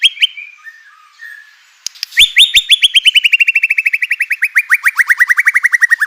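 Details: White-rumped shama song used to provoke other shamas into singing: a few whistled notes, then a long fast series of rapid repeated downslurred notes slowly falling in pitch.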